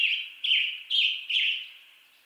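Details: Western tanager song: three or four short, hoarse, burry phrases at a steady mid-high pitch, each about half a second, separated by brief pauses, with a quiet background.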